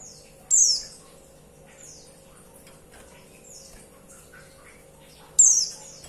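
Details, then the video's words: Calls of a female white-eye summoning a male: two loud, high, downward-sweeping chirps about five seconds apart, with softer faint chirps between them and a quiet steady hum beneath. "Suara pleci betina"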